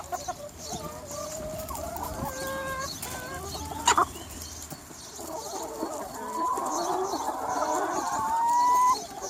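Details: Sunny spring day with a free range chicken flock: scattered clucks and short calls, a sharp click midway, then a louder swelling chorus ending in a long rising tonal call.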